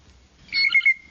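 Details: Blue Jay in the Texas Hill Country gives its bell call: a brief, clear, ringing tone that wavers slightly and fades quickly, over a quiet background.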